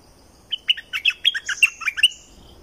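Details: Streak-eared bulbul of southern Thailand: a single lively phrase of about ten sharp, chirpy notes jumping up and down in pitch, delivered in roughly one and a half seconds.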